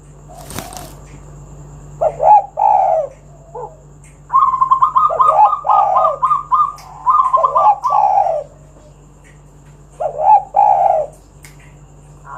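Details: Spotted doves in energetic song, used to coax other doves into calling. Husky coo phrases overlap a quicker series of higher, even cooing notes in the middle, and a sharp knock sounds near the start over a low hum.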